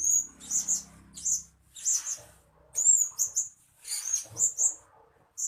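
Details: {'caption': 'Blue-crowned hanging parrot lure sound for attracting birds. Dense, shrill high twittering comes in overlapping bursts, with a soft low hum in the background early on.'}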